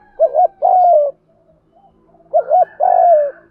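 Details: Two phrases from a spotted dove decoy bird in 'gù thúc' style: each a quick doubled hoot then a long, smooth coo sliding downward, with a faint low hum underneath.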